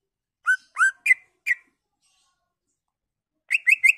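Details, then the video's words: Greater green leafbird singing as a lure to stimulate other leafbirds to sing, unloading its filler repertoire: four rising whistled notes, a pause of nearly two seconds, then a quick burst of four higher sharp notes. "Pancingan Cucak Ijo Merangsang Cucak ijo lain"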